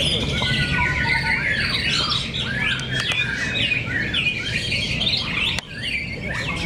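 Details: White-rumped shama (murai batu) fighter birds in a fierce singing contest at Cibinong: dense, overlapping whistled and chattering phrases with rapid rising and falling sweeps, continuous throughout, over a steady low rumble of background noise.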